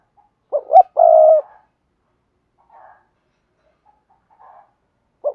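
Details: Spotted dove giving the 'thúc gù' cooing style, played to train newly caught wild doves to coo. Two loud, low hollow coos come near the start, a short note then a longer drawn coo, followed by faint soft notes and a final coo.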